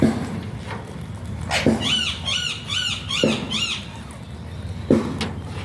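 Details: Alexandrine parakeet, locally called pahaadi tota, making talking sounds: a quick run of about six arched, harmonic, squawky notes in the middle, set between sharp knocking clicks, over a steady low hum.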